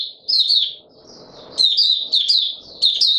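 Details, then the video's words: White-eye (mata puteh raja) in a cage on a warm, humid day in March 2022, delivering quick high warbling bursts, a long sweet phrase followed by three shorter ones, with soft low background noise. "Mata Puteh Raja Video 1 buka sing warm humid weather"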